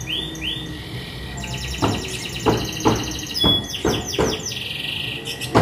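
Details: Young canary singing: after a quiet start, rapid high buzzy trills and metallic rolling phrases, with loud sharp taps or clicks punctuating the song about every half second.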